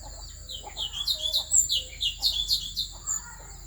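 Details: Asian fairy-bluebird, Central Highlands forest of Vietnam, singing to rouse other birds: a steady series of bright, high, slurred chirps about two per second throughout.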